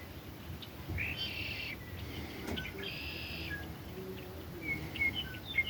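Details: Red-winged blackbirds in Russell County, Kansas, recorded on 4 March 2023: two harsh, buzzy trills about two seconds apart, then thin high whistled notes near the end, over a steady low rumble of background noise.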